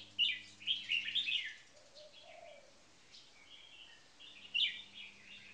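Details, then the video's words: Two red-whiskered bulbuls in cages, one a marathon frequency singing bird, the other on its first caged day. A long bright warbled burst, then quieter notes and one more loud phrase, over a faint hum. "Marathon Frequency Singing 1st Position Bird"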